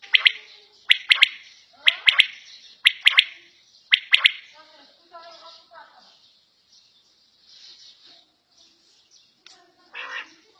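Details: A quail kept at home gives five loud, harsh, clipped calls about one second apart, then falls quiet; softer murmuring sounds follow.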